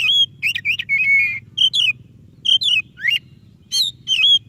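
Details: White-rumped shama song used to encourage a lazy shama to sing: clear whistled phrases with one held note, then separated bursts of upward-swept whistles, over a low hum.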